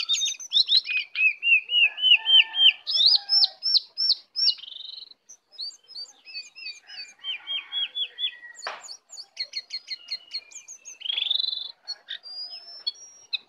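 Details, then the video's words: Wild lesser shortwing on the attack: rich, varied song of rapid repeated whistled slurs, rising series and short trills, pausing briefly between phrases, clear and loud. "Jongkangan/cingcoang coklat Liar Datang Menyerang"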